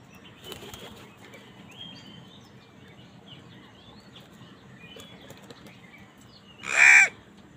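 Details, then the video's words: Crow calling angrily during a squabble with wild birds over food: scattered faint chirps and twitters of small birds, then a single loud, harsh, rasping caw near the end. "Angry kawa ki awaaz Wild birds fight with crows for food"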